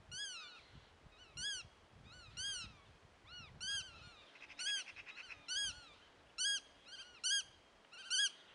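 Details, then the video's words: Godwits calling: loud, nasal, arched notes repeated in short bursts about once a second, some doubled or tripled, with a brief rapid rattle midway. "веретенники кричат"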